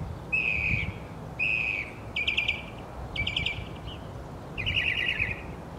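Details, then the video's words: Northern mockingbird song made of separate phrases about a second apart: two clean whistled notes, then two rapid, buzzy trilled phrases and a final grating, rattled phrase, with steady low background hum. "Mockingbird singing"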